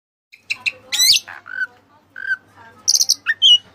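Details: Oriental magpie-robin (white-breasted kacer) singing a vigorous Cililin-style song used as training material: sharp whistled notes, a buzzy harmonic burst, falling slurs and bright high chips separated by short pauses.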